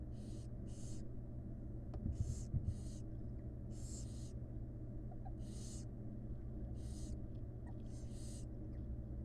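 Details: Nestling barn owls, wild birds in a monitored nest box, beg during feeding by their mother: about ten harsh hissing bursts, several in close pairs, plus faint soft knocks near the start, over a low hum.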